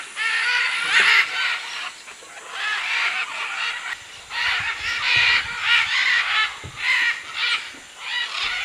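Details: Many macaws at a clay lick in the Manu jungle, Peru, 2008, with other birds, give harsh, raucous squawks in overlapping bursts about every second, a continuous rising and falling noisy chorus.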